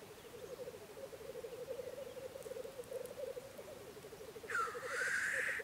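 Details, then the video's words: Rapid pulsing bubbling coos from black grouse lekking in spring in Russia, ending in one loud rasping hiss. "Black grouse lekking in Russia (Тетеревиный ток)"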